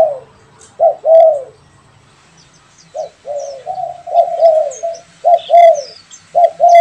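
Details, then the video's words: Loud spotted dove coos, a pet and a wild bird responding to each other, rapid short notes and longer mellow phrases, with thin high chirps of small birds in the background. "SUARA BURUNG‼️ DERKUKU PIARAAN VS DERKUKU LIAR BERSAHUTAN_MERDU SUARANYA"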